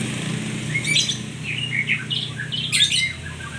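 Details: White-rumped shama song: varied clear whistles and short warbled phrases, with sharp broadband bursts near one and three seconds, over a low steady rumble.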